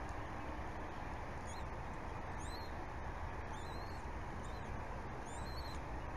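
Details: Bald eagles at a nest at Berry College, 8:20 in the morning, 14 February 2018, father feeding a chick while a second chick waits; thin, high, squeaky upslurred peeps repeated every second or so under loud steady hiss.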